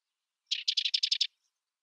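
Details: Sedge wren giving a short dry chattering call: seven quick, evenly spaced buzzy notes delivered in under a second, clean and isolated with no other sounds.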